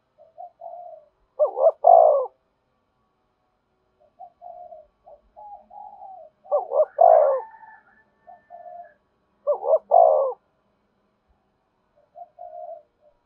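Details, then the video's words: Lure song of a spotted dove for attracting wild birds: three loud cooing phrases, each with soft lead-in notes and an emphatic double coo, roughly every four seconds. "Tiếng chim cu gáy thúc bổi, bổi nghe rất nhạy gáy và về cội nhanh"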